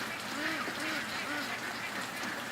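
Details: Several domestic ducks, shut in their pen on a rainy August 12 morning because of nearby coyotes, quack over one another in short, nasal, arched calls about twice a second, with a steady hiss of rain behind them.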